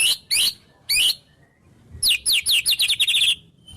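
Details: White-rumped shama song with wild-bird imitations. Three short, sharp, high chirps are followed after a pause by a fast run of about ten clipped high notes, then a faint thin whistle.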